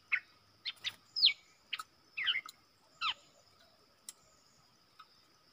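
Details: Wild southern bulbul in Thailand answering a lure bird in a cage. A few separate bright whistled notes and short slurred phrases with pauses between them, fading to faint notes at the end.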